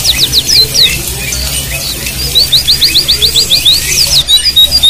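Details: White-eye song over running water, used as therapy to trigger singing in reluctant captive birds: quick series of very high, thin, evenly spaced notes amid a constant rushing water sound.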